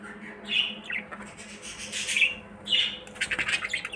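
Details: Budgerigars in a breeding-season colony in the early morning, chattering with bright, scratchy squawks and quick twittering bursts in high-pitched runs.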